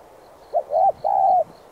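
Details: One spotted dove phrase for stimulating decoy birds: a short coo, a rounded double coo, then a long steady coo, with faint high chirps repeating steadily in the background.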